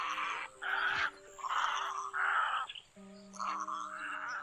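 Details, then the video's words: Black-billed little egrets give harsh, grating croaks in half-second bursts, five in quick succession, over a steady electronic hum; a playback recording for night net trapping. "Tiếng Cò Ngàng Mỏ Đen , Cò Trắng Nhỏ Mỏ Đen"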